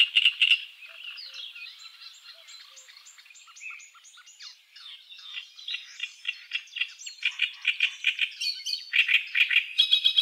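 Great reed warbler singing loud, grating, croaky phrases, harsh notes repeated two or three times before switching, 'karra-karra-kiet-kiet', several notes a second.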